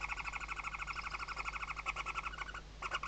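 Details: Barn owl nest in the Ebro Delta, Tarragona, Spain, 2023 season, with chicks under the mother's wings: continuous quick, nasal chittering notes, roughly ten a second, briefly pausing before resuming.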